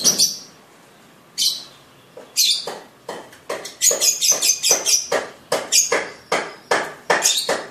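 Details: Young sibiru lovebird in ngekek training, mastering stage: sharp high chirps, first spaced about a second apart, then quickening into a run of rapid, evenly pulsed chips.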